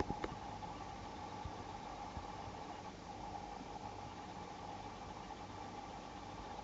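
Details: Steady idling engine hum with a few faint clicks at the start; no animal voices are heard.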